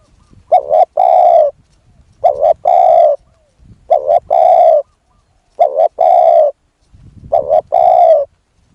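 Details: Spotted dove used as a decoy to lure a wild dove: five low cooing phrases, each two short clipped notes then a longer, fuller coo, repeated about every 1.7 seconds in a quiet setting.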